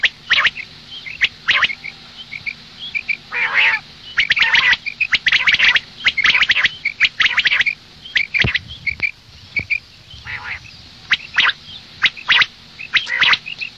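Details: Female common quail heard in the morning: a busy, irregular run of sharp high pips and rasping squawks, roughly one each second, with brief pauses between bursts.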